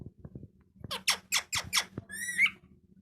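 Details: Parrot presented as a talker, letting out five loud rasping squawks about a fifth of a second apart, then a wavering whistled note, with light tapping sounds and a low hum in the room.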